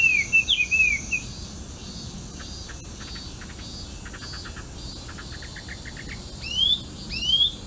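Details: A melodious laughingthrush, introduced and living wild, sings on a riverbank of the Arakawa in Itabashi, Tokyo. Quick twisting whistles open the recording, then a stretch of insect-like ticking follows, and two rising, slurred whistles come near the end.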